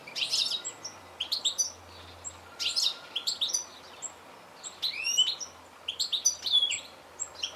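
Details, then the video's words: Goldfinch calling: bright, high twittering chirps in quick clusters, some with rising and falling sweeps, bursts spaced about a second apart with short pauses between. "Goldfinch call"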